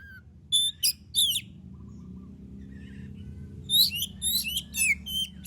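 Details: Oriental magpie-robin in active song, used to draw other birds into singing: a few sharp whistled downslurred notes, a long quiet gap, then a fresh burst of quick sweeping whistles.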